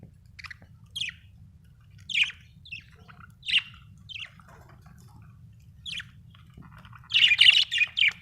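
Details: Budgerigar chirping: brief sharp chirps spaced about a second apart, then a denser burst of scratchy warbling notes near the end, with a constant low hum behind.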